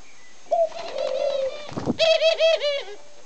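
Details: A male Barbary (ringneck) dove cooing faster and livelier than others: a soft, low, drawn-out coo, a brief breathy rush, then a quick run of wavering, bubbling coos.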